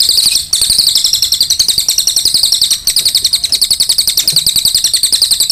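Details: Energetic cililin song, an unbroken rapid trill of sharp high notes pulsing about four times a second in loudness, with two brief dips.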